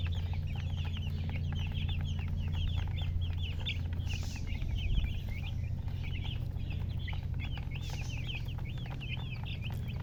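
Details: A flock of young chicks keeps up constant shrill cheeping: piercing little slurred notes, some rising and some falling, pouring out almost without pause over a heavy low droning noise.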